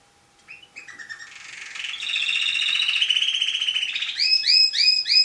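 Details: Tame canary, a national champion singer, in full song: rapid trills build from soft notes into a long buzzy rolling phrase, ending with clear downslurred notes repeated several times a second.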